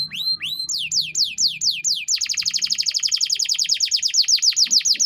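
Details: Tutor song of a canary in cengkok mewah style for training young songbirds. Rising whistles give way to slower falling swoops, then a long rapid series of downward-sliding notes, about eight per second.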